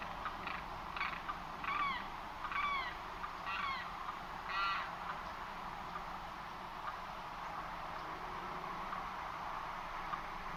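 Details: Limpkin in Florida: a burst of quick, harsh, arched cries, several in the first five seconds, fading into a steady background roar and then near quiet.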